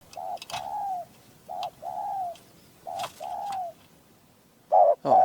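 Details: Caged spotted dove kept as a hunting decoy, with a small, clear, rare voice. Three soft coo phrases, each a short note then a longer falling coo, followed by two loud abrupt notes and a few clicks.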